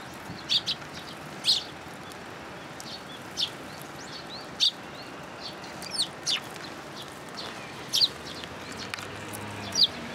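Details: Sparrows come to a plum tree at a Tenmangu shrine to be fed, 17 June 2022; single sharp chirps sound roughly once a second over a steady low background hum.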